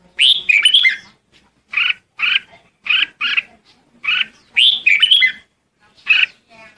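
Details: Red-whiskered bulbul flock call, loud warbled chirps in short bursts repeating roughly every second, some phrases longer and more jumbled.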